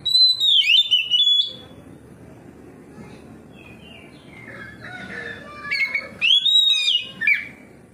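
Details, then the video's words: Oriental magpie-robin singing in full song, said to answer another magpie-robin: loud clear whistled phrases sliding down from high to mid pitch, in two bursts separated by a quieter stretch of soft low twittering. "KACER NGEPLONG KACER LAIN LANGSUNG RESPON NGEPLONG BONGKAR ISIAN"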